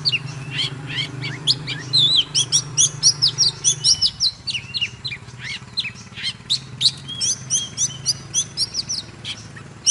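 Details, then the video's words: Long, fired-up 'kích lửa' song from a dancing Oriental magpie-robin, a fast chain of sharp whistles and twittering notes that goes on unbroken, with a low hum in the background. "Chòe than HÓT MÚA || KÍCH LỬA || Kích chòe than hót căng"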